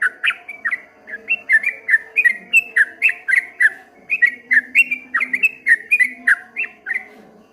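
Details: Ropel ngombak banyu song of a streak-eared bulbul: continuous fast chatter of clear whistled and slurred notes, about three or four a second, wavering up and down, with a low background hum.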